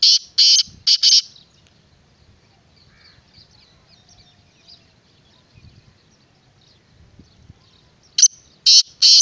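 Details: Black francolin, known locally as kala teetar, gives loud harsh grating notes in a quick group of three, then a second matching burst after a long quiet pause with faint low rustling and background noise.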